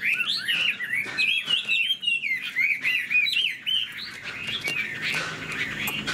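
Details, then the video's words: Chinese hwamei with a spread tail, showing wing display and sleek plumage, sings a loud, rich, fast-changing run of clear whistled phrases sliding up and down without pause, flicking its tail; little else is heard. "Họa mi đuôi xòe chơi cánh, bóng bộ cực đẹp, hót vẩy đuôi khướu"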